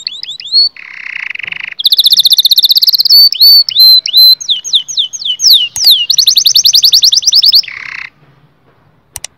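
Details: Canary singing to excite males and females toward mating: a buzzy rasp opens, followed by high rapid trills, scattered whistled upslurs and a long, dense rattle-like trill ending in another harsh buzz.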